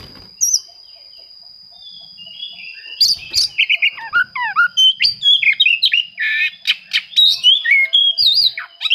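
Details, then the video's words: Oriental magpie-robin song aimed at rivals and used to stir silent birds into singing; after a quiet start, a long energetic sequence of loud, varied whistles, chirps and trills in quick succession, with a faint high tone behind. "suara kacer mencari musuh, cocok untuk memancing kacer susah bunyi."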